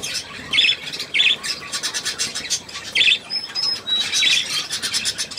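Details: Pet budgerigar indoors giving short high chirps about every half second to second, over steady background hiss, while a person calls softly in German nearby.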